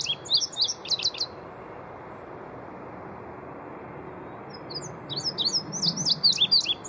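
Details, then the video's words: An Indigo Bunting gives two bursts of high, sweet chirping calls, quick downslurred chips several per second, separated by a few seconds of quiet background hiss. "Indigo Bunting Call"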